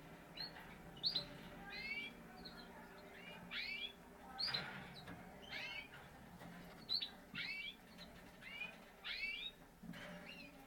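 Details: Parisian Frill canary, a breed of frilled canary. It sends out bright, downslurred chirps about every second, in an uneven repeated rhythm, over a quiet steady background hum.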